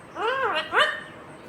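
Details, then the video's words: Two quick arched syllables from a talking green ringneck parrot saying "mummy papa", the second rising more steeply than the first. "Natural Sound of Talking Ringneck green parrot 🦜||Talking Parrot mummy papa"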